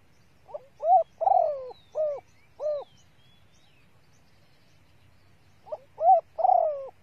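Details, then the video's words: Female spotted dove calling to excite male birds: a short lead-in note, a hoarse rolling coo, then two soft hollow coos, a quiet pause of nearly three seconds, and the phrase starting again. "TIẾNG CU GÁY MÁI SIÊU NHẠY DÙNG KÍCH BỔI KHÓ TÍNH | CU GÁY MÁI KÍCH TRỐNG NHANH NỔI"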